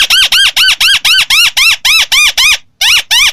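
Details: White-browed crake delivering a rapid, even chatter of arched nasal notes about four per second, with one brief break.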